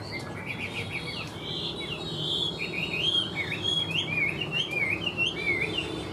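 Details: Caged Chinese hwamei kept as a songbird pours out a continuous rapid warble of varied sweeping whistles and trills, growing louder midway, with steady low background noise.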